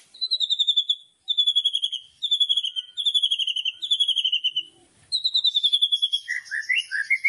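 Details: White-rumped shama in a loud kretekan song meant to provoke other shamas: high, trilled phrases that slide slightly downward, repeated about every second with brief gaps, ending in lower warbled, bubbling notes.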